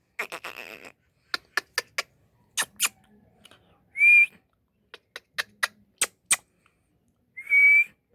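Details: Indian ringneck parrot: bursts of short, sharp, dry chips and clicks in quick irregular runs, twice broken by a clear, loud whistle that slides upward, with quiet gaps between.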